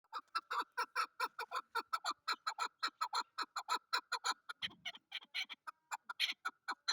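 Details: Chukar partridge, known locally as chakor and described as a desi or hunter chakor, giving a long run of rapid, harsh chuck notes, roughly two per second, uneven in spacing, with a brief low thud near the end.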